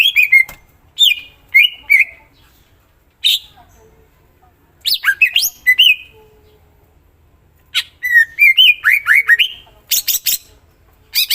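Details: Greater green leafbird singing with a full repertoire: scattered whistled slurs and crisp chirps open the passage, followed by a run of rapid sliding whistles and sharp high notes.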